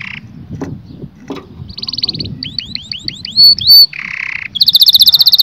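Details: Canary singing to arouse mating in males and females. After some low background clatter come buzzy notes, rising hooked whistles, a harsh low burst, then a fast ringing trill.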